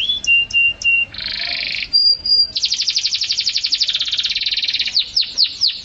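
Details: Vigorous canary song for songbird training: repeated short whistles, a harsh buzzy burst, a clear flat whistle, then a long rolling trill and swooping notes.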